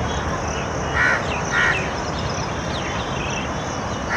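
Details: A crow gives two harsh, rasping caws about half a second apart over steady background noise, heard behind a nilgai eating green tree leaves, with koel and peacock also around.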